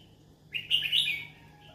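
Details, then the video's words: A yellow-sided conure looking for friends to talk to gives one buzzy, slightly wavering chirp lasting under a second, against a quiet background with faint low hum. "Yellow sided conure sounds : I'm looking for friends to talk to"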